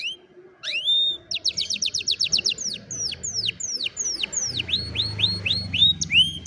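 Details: Afternoon singing by an old canary: rising whistled notes lead into a rapid stuttering trill, then a slower series of repeated downward-sweeping chirps, with faint low background rumble.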